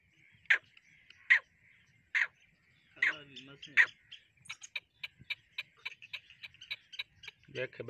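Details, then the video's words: Black francolin (kala teetar) calling: four loud harsh notes spaced under a second apart, a slurred grating phrase, then a fast series of short clicking notes and a final harsh note. "Kala teetar ki awaaz black France clan voice"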